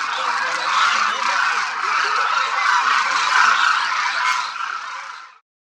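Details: Thousands of Demoiselle Cranes in a vast flock feeding and moving at Khichan Bird Sanctuary, Khichan village, Rajasthan, India, in winter. A dense, continuous chorus of overlapping trumpeting calls rises and falls without pause, then cuts off abruptly.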